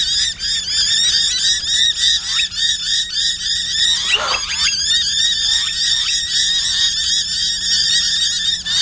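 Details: Several noisy miners at Corso reserve, Brisbane, Australia, on 29 August 2012, responding to an owl model: a dense, overlapping chorus of rasping, rapidly repeated notes, with a brief loud broadband burst midway and a low hum throughout.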